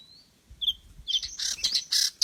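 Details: Oriental magpie-robin (kacer daput) lure song: a thin steady whistle and a short sliding note, then loud harsh scratchy bursts repeated several times in quick succession.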